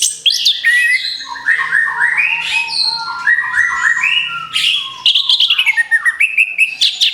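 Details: Orange-headed thrush (anis kembang) song used as a lure for other birds: a loud, rich, rapid run of varied whistles, slurred chirps and trills, with quick rising and falling phrases and sharp high notes near the end.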